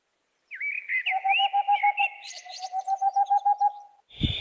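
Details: Unidentified bird giving a few clear whistled slurred notes, then a fast even series of short repeated notes, about three per second, with sharper higher chips mixed in, ending in a brief thump.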